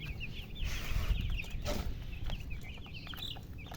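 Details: Chicken chicks giving quick high chirps in irregular bursts, one loud rustle or knock near the middle, low hum underneath.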